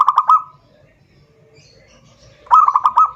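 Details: Rival-calling song of a zebra dove, played as a lure: the tail of one pulsed cooing phrase, a quiet pause of about two seconds, then a fresh run of quick, level, bubbling coos.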